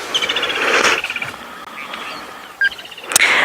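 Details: Red-billed buffalo weavers on a sunset safari drive, 25 December 2021, afternoon, give fast, squeaky chattering runs of high notes, mixed with doves and other bird calls and a sharp click near the end.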